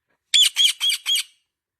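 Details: Parrot voicing four quick, harsh, speech-like syllables in about one second, with no other sound around them.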